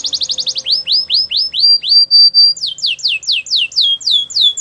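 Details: A Belgian canary sings a quick rattle, then a row of looping whistled syllables, a drawn-out flat note, and a fast series of descending sweeps, over faint low hum.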